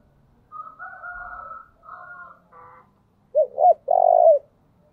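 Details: A spotted dove kept as a decoy gives quiet, drawn-out wavering coos, then two short, loud hooked notes and one long, strong, low coo.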